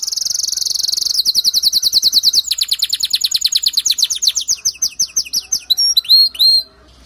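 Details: Male canary singing to make a female canary build her nest: a rapid high trill shifts into repeated falling slides that slow gradually into separate swooping whistles.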